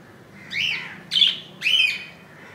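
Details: Budgerigar chick in the nest, hatched at 2 AM on 15 July 2018 and about an inch long, on its second day; three short chirps, each bending down then up, spaced about half a second apart.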